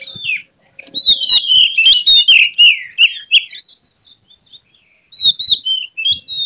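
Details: White-rumped shama showing off with spread tail in an emotional display, pouring out a fast varied song of clear whistles, downslurred notes and buzzy high trills, pausing, then resuming with whistled phrases.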